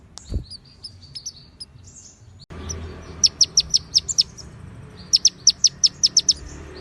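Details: White-rumped shama konin song filled with cililin and ciblek phrases: faint scattered high whistles at first, then two bursts of crisp, rapidly repeated high chips separated by a short pause.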